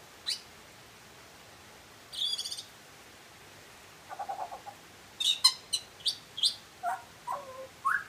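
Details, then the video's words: Butcherbird singing: after a short high note, scattered phrases mix raspy buzzy bursts with clear whistled notes that slide down from high to middle pitch, then a few upward-flicked whistles near the end; quiet pauses between phrases. "Butcher bird singing"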